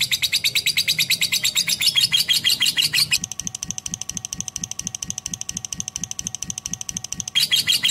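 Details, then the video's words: Lovebird chattering in a rapid series of high, harsh chirps for about three seconds. A steadier stretch of fainter pulsed notes with low ticking follows, then the fast chirping returns at the end. "AUDIO BURUNG LOVE BIRD JERNIH DAN PANJANG"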